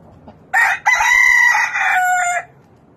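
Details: Loud cock-a-doodle-doo from a rooster: a clipped first syllable, then a long sustained note that steps down in pitch before cutting off, with faint background murmur.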